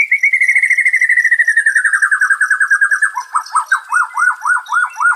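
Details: White-rumped shama song, used as therapy for stressed birds: a fast trill slides steadily downward for three seconds, then gives way to slower, evenly spaced rising-and-falling whistled notes, about two per second.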